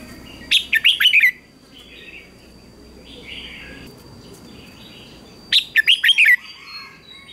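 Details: Morning singing contest of a red-whiskered bulbul: two bursts of quick, bubbly, down-sliding whistled notes about five seconds apart, separated by soft chirping from other birds and a faint steady tone.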